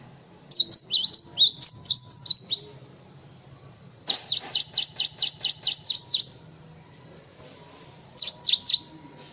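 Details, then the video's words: Cinereous tit song for tutoring white-eyes and other birds: an opening burst of high, bouncing phrases, then a faster run of about twelve evenly spaced sharp notes, and a short closing trio. "Suara Burung Gelatik Batu untuk masteran"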